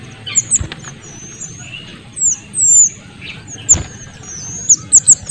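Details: Small minivet, male and female combined: thin, very high whistles in irregular bursts, including a couple of longer sliding notes midway and a rapid run of sharp high notes at the end; faint lower chirps behind.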